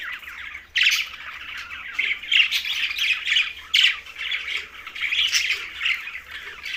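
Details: Green budgerigars chirping at mealtime, Larkana, Sindh: continuous busy chatter of squawks and warbles, several loud harsh bursts near one and four seconds, many birds calling together.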